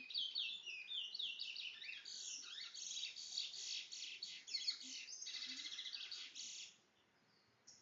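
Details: Bringle-type towa towa bird pouring out a loud, fast, high chattering song of rapid trills and slurs for about seven seconds before stopping abruptly.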